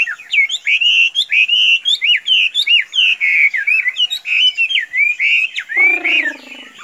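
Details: Chinese hwamei, a hand-tame kept songbird said to stay put when released, delivering loud clear whistled phrases in a steady run of rising and falling notes, with a brief rasping sound near the end.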